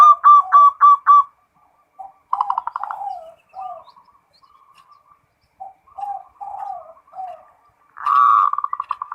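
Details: Local zebra dove (perkutut) in full 'ngerot' song: bursts of fast rolling coos separated by pauses, with quieter soft cooing notes between, ending in a loud rapid trill.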